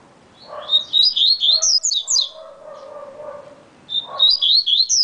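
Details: Yellow-bellied seedeater (coleiro baiano) singing a very fast song: quick bursts of high, twisting chirped notes, two phrases of about a second each, separated by lower murmuring background sounds.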